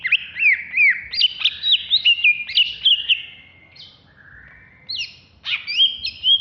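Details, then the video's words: Greater green leafbird from Alas Purwo, caged and contest-ready, in Jatiasih, Bekasi, singing ngamuk-style. Rapid chains of ringing whistles jump up and slide down and repeat several times a second. A short lull follows, then more sharp rising whistles. "Cucak Hijau Alas Purwo Ngamuk"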